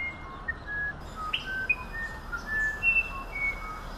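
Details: Musician wren song: clear, pure whistled notes at varied pitches, some sliding, with a brief rising burry note in the middle, set against a steady hiss of background noise.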